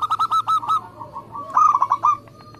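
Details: Indonesian local zebra dove singing briskly: a row of about six crisp coo notes, a soft connecting passage, then a louder rapid burst fading into faint notes.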